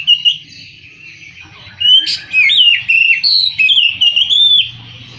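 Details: Varied song of an Oriental magpie-robin, built from clear whistles, sliding notes and short chirps strung together in a flowing sequence, over a faint hum.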